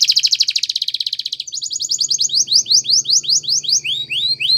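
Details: Spanish Timbrado canary singing a training song: a loud, fast pulsing trill for over a second, followed by slower spaced rising whistled notes about three per second over a faint low hum.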